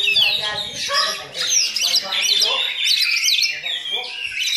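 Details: Oriental magpie-robin copying a myna, a tumbling series of high whistles, chirps and looping slurs, sung continuously and loudly.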